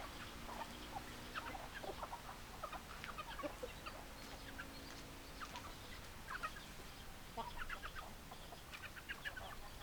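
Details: Several hens clucking steadily, bursts of short clipped notes from more than one bird scattered across the whole stretch, with a faint low hum and background hiss.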